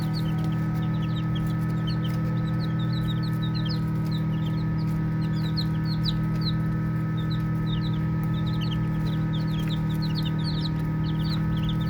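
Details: A group of baby chicks at play keeps up dense, high, piercing peeps, short upward and downward sweeps crowding together from many birds, against an unbroken low humming drone.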